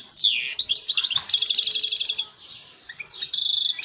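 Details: Song of a European goldfinch: a steep downward whistled sweep, then a long rapid rattle of bright, liquid notes, a short soft gap, and another buzzy high trill to finish.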